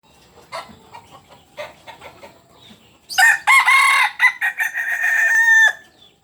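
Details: {'caption': 'Kukuak Balenggek rooster, red biriang type of the landiak class, native to Solok, West Sumatra, crowing: faint clucks and scattered noises first, then a loud harsh multi-part crow with stepped, held notes lasting over two seconds.'}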